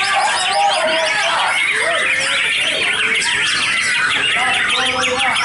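A white-rumped shama sings a dense, almost unbroken stream of rich whistles, chirps and rapid sweeping notes, high and varied, with hardly a pause.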